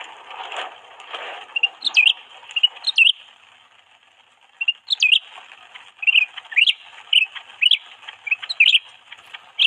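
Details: Canary serving as a lure bird for attracting its own kind, opening with soft rustling, then a lull, then clusters of crisp, high upswept chirps and twitters that grow busier toward the end.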